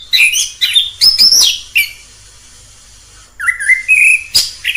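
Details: Orange-headed thrush heard in the wild, giving a few quick whistled and chattering notes, a pause of about one and a half seconds, then a long rising whistle and a final harsh burst.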